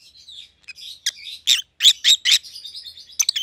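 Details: Two captive Rosy-faced Lovebirds, white-headed opaline mutations (a pallid ino and a green opaline, siblings), give sharp high chirps in quick bursts, with softer twittering between loud notes, indoors.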